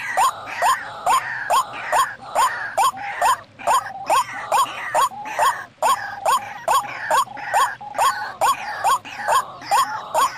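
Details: White-breasted waterhen lure call for attracting birds in the wild: loud, croaking upslurred notes, about two each second, in a steady monotonous run with no other sounds.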